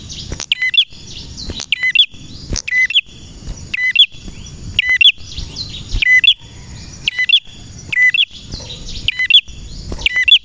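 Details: Ten seconds of continuous male prenjak song, sharp high chirp-and-drop phrases repeated at a fairly even pace, roughly one each second, with soft twitters between and a faint steady hum.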